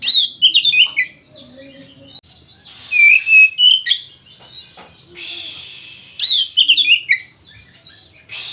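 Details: Oriental magpie-robin in energetic full song, used to prompt other magpie-robins to sing: varied high whistled phrases mixed with harsh scratchy notes and sharp chirps, delivered in loud bursts separated by brief quieter pauses.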